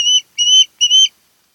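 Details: Wild ospreys at their Kent Island, Maryland nest, recorded by nest camera on 10 August 2018: three even, sustained whistled notes, steady in pitch and spaced about a third of a second apart.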